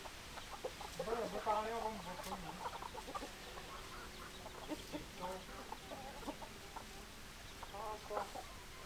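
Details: Hens clucking and roosters crowing. A drawn-out, harmonic, wavering call rises early on, then short clipped clucks follow in loose bursts, several per second, fading and returning near the end.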